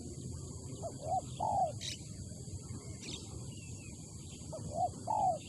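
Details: Spotted dove in Malaysia giving its coo call: a brief low note then a drawn-out, gently falling coo, repeated twice about four seconds apart, with faint bird chirps and a low background rumble.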